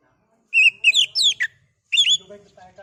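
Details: Oriental magpie-robin singing in a lure recording meant to agitate another kacer into song: a quick run of clear whistled notes and sharp downslurs, a pause, then a second whistled burst fading into softer notes.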